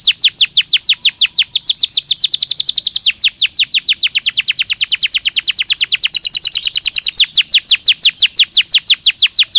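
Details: Belgian canary singing naturally, nearly ten seconds of fast, unbroken sharp down-slurred notes delivered at an even, rolling pace.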